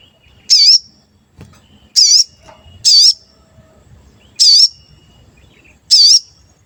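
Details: Frequently calling sooty-headed bulbul, its cuit-cuit used to lure and excite other birds: five loud, high, wavering whistled notes repeated roughly every one to one and a half seconds, with faint background noise.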